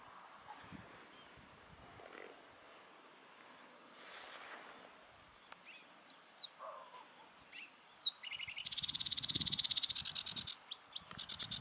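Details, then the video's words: Sedge warbler song: faint scattered notes at first, then a fast, irregular burst of buzzy, rattling trills mixed with sharp, high whistled notes in the final few seconds. "De rietzanger"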